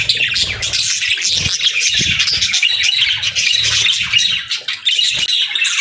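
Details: Many budgerigars calling together, a continuous high warbling chatter with scattered squawks and a short dip near the end.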